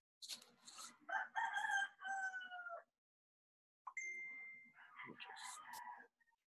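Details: Roosters crowing around 6 a.m. in the Philippines, heard in the background: two long, harsh crows, each a drawn-out stepped phrase of two to three seconds, with a short pause between them.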